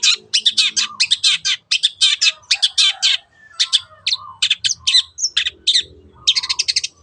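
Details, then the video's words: Song of a long-tailed shrike meant as a lure for other birds: loud, rapid series of scratchy, buzzy high notes in quick succession, a pause near three seconds, then varied sharp whistles and a fast rattle. "SUARA BURUNG CENDET TEOT TEOT pancingan AGAR BURUNG MANAPUN IKUT GACOR"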